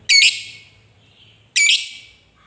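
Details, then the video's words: Two loud, shrill lovebird squawks about 1.5 seconds apart, each brief and harsh with a quick downward sweep, from a recording meant to prompt lazy lovebirds to sing. "Suara Lovebird Ngekek Panjang paling AMPUH buat pancingan labet malas bunyi jadi GACOR"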